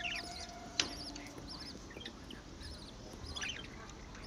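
Young budgerigars chatter in quick, high, wavering chirps that overlap from several birds.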